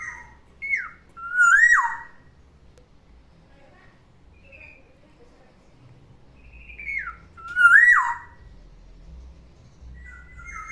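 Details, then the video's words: Morning whistling of a caged pet black-naped oriole: the same mellow phrase, a short falling note and then a rising whistle that tumbles downward, given twice about six seconds apart, with a flat note closing. "OCEHAN BURUNG KEPODANG DI PAGI HARI, SUARANYA BIKIN ADEM"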